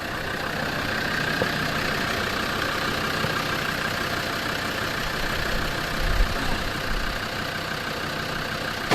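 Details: A vehicle engine idles and rumbles steadily throughout, with no animal voices heard.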